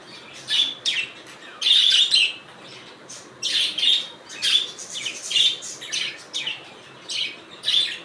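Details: Budgerigars twittering steadily: a run of repeated rasping chirps, some with a clear whistled tone, coming about every half second without long pauses.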